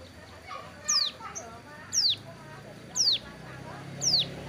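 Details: Moulting hill prinia sunned beside a road utters four sharp, high, falling notes spaced about a second apart against a low rumbling background.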